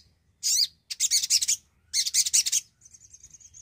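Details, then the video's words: Javan cochoa song played to draw out birds that have stopped singing: a loud harsh high note, two fast chattering runs of sharp chirps, then a thin wavering high whistle trailing off. "sogon gacor pancingan pintar burung bahan & macet bunyi"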